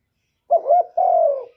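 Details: Male spotted dove calling a female to lay. A single phrase: a brief wavering double note, then a long, rich, low coo that drops gently in pitch before fading out.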